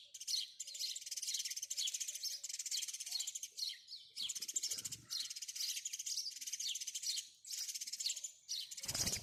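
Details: Nonstop chattering of house sparrows, many short, high chirps packed into long bursts with brief gaps, ending with a low knock.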